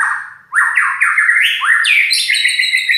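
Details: White-rumped shama singing loudly in a rough voice: a rapid run of stepped, upward-sweeping whistled notes that climb higher and blend into harsh trills.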